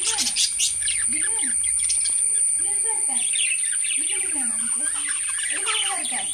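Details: Lovebirds chirping: dense bursts of high, sharp twittering notes overlap continuously, with softer curving lower tones sliding up and down beneath and a steady thin high hiss throughout.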